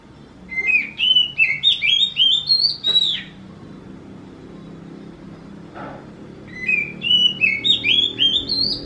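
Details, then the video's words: Oriental magpie-robin song said to sound like a kitten meowing: bursts of short, rising, meow-like whistled notes, about three per second, climbing stepwise in pitch, with two bursts separated by a quieter pause over a faint low hum. "burung kacer ini suaranya mirip seperti anak kucing"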